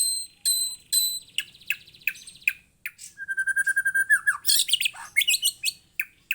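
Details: A young white-rumped shama sings high, ringing whistles at first, then a rapid run of repeated chips leading into a sweeping whistle and a burst of varied, scratchy high notes.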